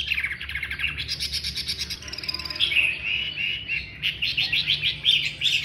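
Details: Loud Chinese hwamei song: rapid repeated notes and buzzy trills, shifting to rhythmic bursts of bright whistled phrases in the second half.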